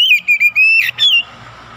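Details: Oriental magpie-robin in full song, used as a fast lure to excite other magpie-robins: clear, loud whistled notes, mostly level with small upward kinks, joined in a run, then a short fade and faint background hum.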